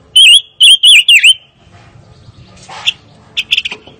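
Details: Fire-tailed myzornis opening with four loud, bright whistled notes in quick succession, each bending up then down, followed by quieter rustling and a few short chirps.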